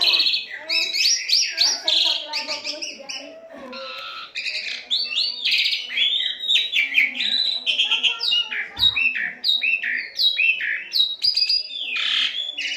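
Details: Long continuous Asian pied starling song from a tutoring track for captive birds: a dense, varied jumble of whistles, harsh chatters, buzzy slurs and clicks, hardly pausing, with one soft low thump.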